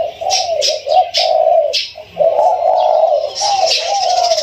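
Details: Spotted Dove kept in captivity, newly caught one to two weeks earlier, with a mid-to-large voice; several short coos are followed by a long rolling coo, over scattered sharp high chirps from nearby birds.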